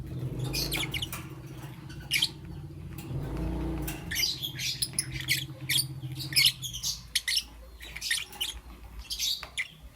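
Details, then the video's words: Green, yellow and lutino lovebirds in the morning, giving bursts of sharp, scratchy chirps and short squawks in irregular clusters, with a low hum and some rustling underneath. "Lovebird Chirping Sounds"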